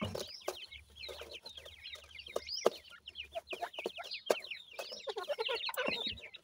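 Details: Grey and painted francolin chicks at a feeding session call in a continuous chorus of high, quick downslurred cheeps with occasional sharp clicks.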